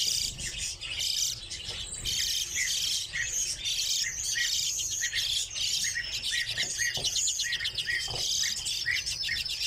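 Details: Redpolls kept in captivity give continuous high, buzzy twitters and rapid trills, while short chip notes repeat steadily underneath.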